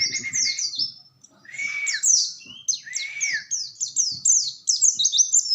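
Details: Oriental white-eye song of rapid high down-slurred notes in quick series, with a few lower curved whistles and faint low background noise.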